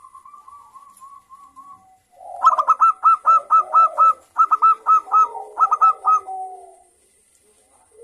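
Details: Zebra dove (local perkutut) calling in the morning: a gentle trilled murmur leads into a loud, rhythmic series of short bright notes grouped in threes and fours, with a softer purring undertone.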